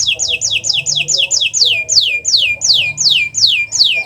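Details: Canary song from a master recording meant to trigger silent birds to sing, a steady series of loud descending whistled sweeps repeated roughly three times per second throughout.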